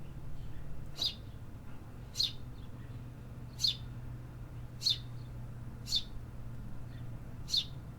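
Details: City birds singing in an urban setting: a single sharp, high chirp repeated about every second over a steady low traffic-like hum.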